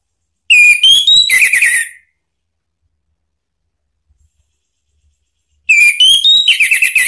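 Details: Orange-headed thrush provocation song: two phrases about five seconds apart, each climbing in clear stepped whistles and finishing with a rougher, lower trill, loud and crisp against a silent background.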